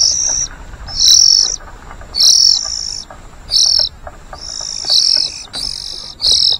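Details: White-rumped shama chicks being fed by a parent, giving high, harsh, hissing begging calls in bursts of about half a second, repeated at irregular intervals.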